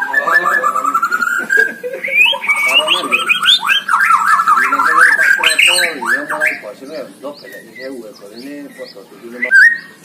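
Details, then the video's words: White-rumped shama singing at a songbird competition, recorded as tutor song: fast climbing series of whistled notes breaking into rapid, chopped chatter and harsh squawks, ending with a few sharp whistles. "GANTANGAN MURAI BATU || GACOR DORRRR"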